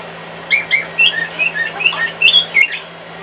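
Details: Indoor cockatiel singing along to a hairdryer heard from the next room, giving clear whistled notes, some rising and some falling, in quick uneven sequence over a steady background hum.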